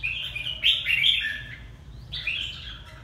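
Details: Hà Tĩnh red-whiskered bulbul singing two rich, slurred whistled phrases, the first loud and rolling, the second rising then falling, over a faint low hum.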